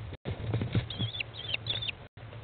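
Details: American kestrel chicks at day 15 fed by their mother in a nest box, 20 May 2011; loud low scuffling first, then a few high, thin, sliding whine calls midway.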